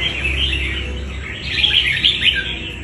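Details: Red-whiskered bulbul, a wild-caught fighting bird, pouring out rapid chattering warbles that swell and rise in loudness toward the end, over a low background hum.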